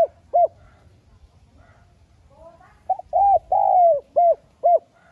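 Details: Spotted dove lure recording, played to caged doves to stir them into cooing: short hooting coos, then a soft gap, then a burst of quick coos with one long drawn-out slurred coo, and two final clipped notes.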